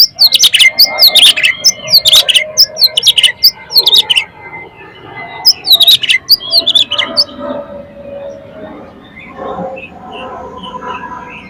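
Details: Kacer, or Oriental magpie-robin, singing a 'ngeplong' lure song meant to excite other magpie-robins into full song. Loud, rapid bursts of sharp whistles and chatters for about seven seconds, then softer warbling phrases.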